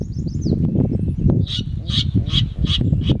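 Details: Virginia rail recorded in May 2018 at QNWR: after about a second and a half, a run of five short, harsh, mid-high notes repeated roughly every 0.4 seconds, over steady low rumbling and clattering noise, with faint high bird twitters early on.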